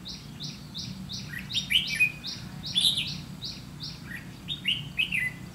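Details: Ché-style song of a red-whiskered bulbul, decoy-bird trapping, 30 May 2016; repeated bursts of lively, sliding, chattering phrases alternate with a rapid, regular series of high flat pulses throughout.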